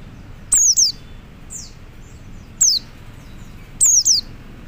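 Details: Calls of a male Oriental white-eye summoning other white-eyes: sharp, high, downslurred whistles, mostly in doubled pairs, repeated roughly every one and a half seconds, with a softer answering note between them.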